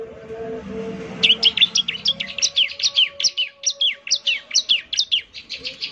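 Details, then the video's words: Bar-winged prinia lure recording of eager singing: after a low hum, a rapid run of high, sharp chirps and downslurred notes, about two per second, continues to the end. "pancingan suara ciblek semi gacor"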